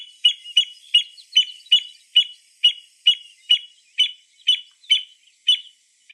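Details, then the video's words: American avocet giving sharp, high, ringing kleek notes, about two per second in a steady insistent series; its typical call, probably given when someone is near its nest, as it is very aggressive and vocal then; nothing else heard. "That's the typical call of the American avocet, probably when someone's near its nest,"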